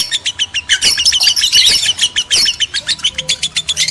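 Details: Lovebirds, male and female, heard in a sound used to trigger breeding urge: rapid, even series of high piercing chirps, swelling into a crowded shrill chatter midway before returning to spaced, rhythmic chips.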